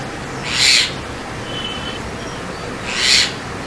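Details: A white-vented (Javan) myna, Acridotheres javanicus, gives two harsh, hissing screeches about two and a half seconds apart, with a faint thin whistle between them over a low background hiss.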